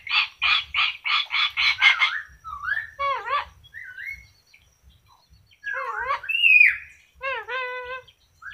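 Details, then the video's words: A yellow-crested cockatoo that can talk opens with seven rapid, evenly spaced harsh squawks, then gives a mix of bent, wavering syllables and clear, harmonic, speech-like phrases with short silences between. "kakatua jambul kuning bisa bicara"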